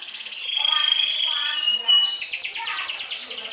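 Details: Sobek-style canary trilling to challenge rivals: a soft high trill leads into a long level whistled tone, then a burst of loud rapid high pulses to the end.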